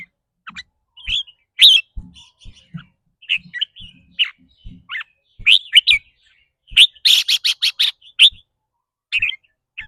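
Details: Red-whiskered bulbul kept in a cage, singing its fast ‘rik’ trill, said to depend on its daily mood. Scattered bright chirps build to a dense burst of rapid, harsh repeated notes, with a few dull knocks underneath.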